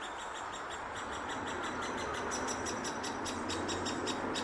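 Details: Great spotted woodpecker chick in its nest hole at Hokkaido University Botanic Garden, June 2019, begging while it waits for its parents to bring food; fast, steady run of high, scratchy chattering pulses, nearly three a second, over a constant low background hum.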